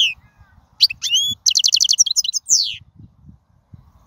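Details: Wild European goldfinch singing: high, liquid twittering with rising and falling whistled slurs, then a rapid buzzy run of repeated notes and a descending sweep, with faint low rustling underneath.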